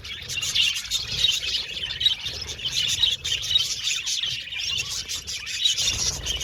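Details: Dense, continuous chatter of many budgerigars in an aviary colony: overlapping high twittering chirps and warbles with no pauses, and a soft low rumble underneath.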